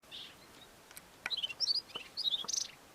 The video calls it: The Melodious Lark, a southern African lark, singing and mimicking other local bird species